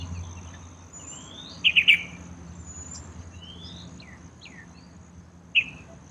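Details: Yellow-vented bulbul, a common resident bird around town, at a small water pool in a courtyard where it bathes: a quick triple of bright chirps, then a single chirp later, with thin rising whistles from other birds and a steady high hiss.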